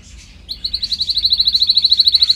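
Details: Canary singing in a training recording: a fast, even trill of bright repeated notes, about a dozen per second, held on one high pitch and growing louder, with faint softer twittering at the start.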